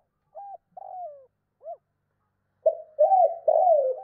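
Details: Spotted dove cooing, 2 cốt and thúc lợi cốt styles for stirring wild doves: three soft separate notes, one drawn out and falling, then three loud rolling coos close together.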